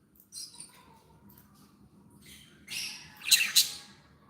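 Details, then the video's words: Pet budgerigars described as happy: a faint chirp early on, a quiet pause, then a burst of harsh scratchy squawks and rapid clicks toward the end. "Happy budgies sound"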